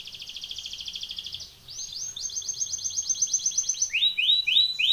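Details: Belgian canary training song, a rapid rolling trill that briefly pauses, resumes as a brighter bubbling roll, then switches to quick rising-and-falling swept notes.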